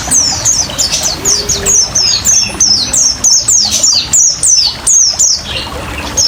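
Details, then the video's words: Oriental white-eye in wild 'ngriwik ngalas' style, a lure and therapy recording for caged birds blended with trickling water: quick series of piercing high notes, each sliding downward, repeated about three times per second with brief gaps. "PLECI NGRIWIK NGALAS KOMBINASI SUARA GEMRICIK AIR‼️PANCINGAN DAN TERAPI PLECI CEPAT GACOR"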